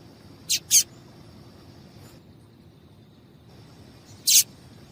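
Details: A female double-collared seedeater calling to heat up males for singing competitions: a quick pair of high chips, then silence for over three seconds before a single louder chip.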